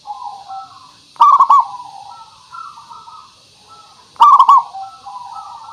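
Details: Zebra dove song meant to lure birds into singing; two strong rolling coos three seconds apart, each followed by softer low cooing phrases.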